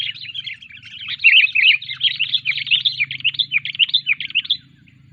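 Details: Sooty-headed bulbul being trained, delivering a lively, rambling run of quick chattering and warbled notes, tumbling up and down without pause for about four and a half seconds over a low steady hum.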